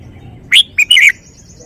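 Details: Song phrase from a red-whiskered bulbul: one rising whistle, a short pause, a short note, then a rolling two-note warble, delivered once in well under a second against quiet low rumble.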